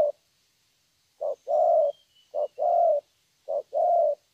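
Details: Young wild-caught spotted dove from Vietnam in 'thổ' style: after a pause, three evenly spaced pairs of mellow coos, a quick note then a sustained one, faint high whistle in background.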